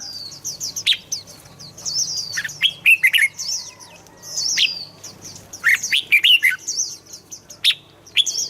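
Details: Red-whiskered bulbul singing, used to excite kept birds into song: repeated short bright whistled phrases scattered through, over continuous high twittering of several birds.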